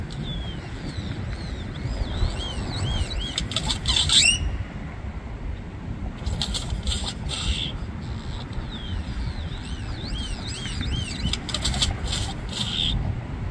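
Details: Bird imitating an ignition sound: rapid runs of high, arched, chirping notes that speed up and end abruptly, heard in two bouts. Bursts of rustling or flapping and a low background rumble accompany them.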